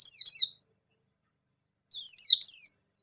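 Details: High-pitched song of a bustomi white-eye, played to get other white-eyes singing: a brief pair of falling slurred whistles, a silent gap, then a longer phrase of three thin downward-sweeping notes.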